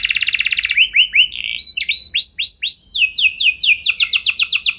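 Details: Canary song used as a training recording to get other canaries singing long rolls: a rapid buzzy trill, then rising looped whistles repeated about twice a second, ending in fast descending sweeps.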